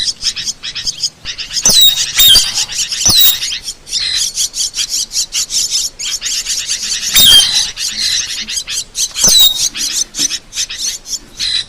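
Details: Asian glossy starling, a recording used to train other birds and for luring. Continuous high-pitched twittering of short sharp chirps and thin downslurred squeaks comes in quick irregular succession, with a few louder clicks and no long pauses.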